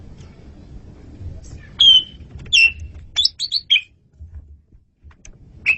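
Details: Energetic masteran song of an Asian pied starling: loud downslurred whistles, then a quick run of clipped chirps and a rising note, spaced irregularly about a second apart over a faint low hum.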